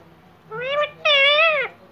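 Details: A rescued, uncaged pet talking parrot, possibly an Indian ringneck, gives two nasal, speech-like phrases: a short rising syllable, then a longer drawn-out word that holds level and drops at the end.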